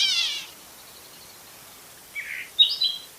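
Gray catbird giving a harsh, nasal, cat-like mew, then after a pause a few quick, squeaky warbled song notes, high and jumbled.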